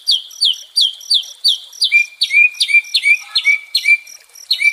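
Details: White-rumped shama, meant as soothing therapy for a stressed bird: a string of sharp high down-slurred notes, then paired phrases that end in a lower ringing whistle, repeated several times.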